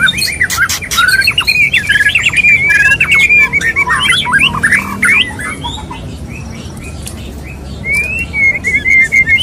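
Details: Male white-rumped shama in a mating display toward a female: loud run of quick whistled upsweeps and trills mixed with dry clicks, easing to a softer phrase, then renewed rising whistles.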